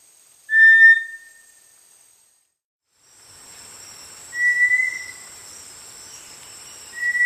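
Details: Small dark, entirely brownish-gray tinamou of tropical lowland rainforest understory, especially along streams and dense undergrowth: short flat whistles, three given roughly every three to four seconds, with a steady high-pitched insect-like hiss in the background after the first note.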